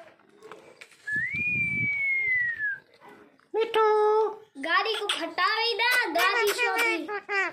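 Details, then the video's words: Pet Indian ringneck parrot and macaw talking: a long arching whistle, then a short harmonic burst and a rapid string of speech-like syllables, indoors with faint background noise. "Ringneck Parrot vs Macow Talking Parrot"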